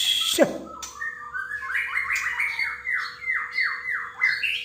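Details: Male white-rumped shama song used as a lure to prompt other shamas to sing: after a loud knock, a series of about eight clear down-slurred whistled notes repeats evenly, with high twittering phrases layered above.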